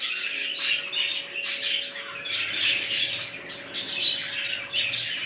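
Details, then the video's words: Budgies in a new colony that includes red-eyed birds call in waves of high scratchy chatter and short squawks, rising and easing every second or so over a faint background hum. "Budgies Parrots New colony"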